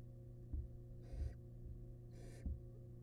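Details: Wild barn owl nest box as the male brings a large rat to the family. Two softer hissing screeches with dull thumps of movement and a persistent low hum.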